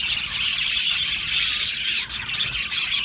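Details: Australian budgerigar colony in an aviary, many birds singing and chirping together in a dense, continuous high-pitched warble of overlapping squeaky chirps and short whistles, with no pauses.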